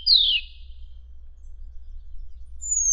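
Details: Madagascar magpie-robin song used as isian training material for contest songbirds: one loud whistle sliding steeply down, then near-silence and a thin high whistle at the end.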